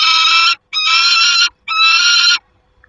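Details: Three rapid, harsh, strident screams in close succession from a peregrine falcon at the nest, 28 August 2021, each roughly half a second to under a second, separated by tiny breaks.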